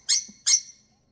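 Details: Female pet lovebird, a parrot, throwing a bedtime temper tantrum when she wants to go to bed: two sharp, harsh high squawks about half a second apart indoors, then quiet.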